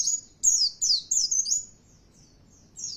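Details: Lure song of an Oriental white-eye, meant to provoke other birds into singing: a few high, thin, downslurred chirping phrases in quick succession, then a short gap and one more phrase.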